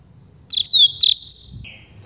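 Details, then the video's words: Double-collared seedeater singing the "campainha" (bell, also called carretilha or flauteado) song type, used to train young birds: a drawn-out high whistle, a bright rising slur, then a lower buzzy ending, over a faint low rumble. "CANTO CAMPAINHA (COLEIRO VENENO)"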